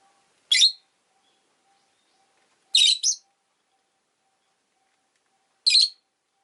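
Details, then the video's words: Two rosy-faced lovebirds huddled at an entrance call with sharp, shrill, broadband chirps, single or paired, spaced two to three seconds apart over a faint low steady hum. "コザクラ便り 112 入口で２羽固まって【Lovebird Chirping Sounds 、roseicollis、모란앵무、agapornis】"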